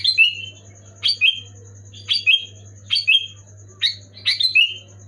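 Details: Loud, clear Sooty-headed bulbul song meant to get idle or moulting bulbuls singing: five bright, gurgling whistled phrases spaced roughly a second apart, each a quick downslurred pair of notes, with constant low electrical hum and thin high tone.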